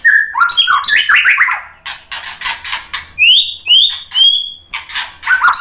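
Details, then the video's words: White-rumped shama in full song used to rile other shamas: quick descending slurred whistles, buzzy scratchy notes, then high pure whistles repeated at steady intervals. "MURAI BATU GACOR memancing EMOSI jadi BUNYI NYAUT BONGKAR MATERI ISIAN | PANCINGAN MURAI batu"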